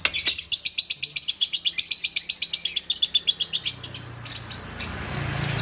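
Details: Lovebird of the bawor style from Takengon, Aceh, pouring out an even, rapid series of sharp high chirps near four per second, fading into background murmur and scattered notes toward the end.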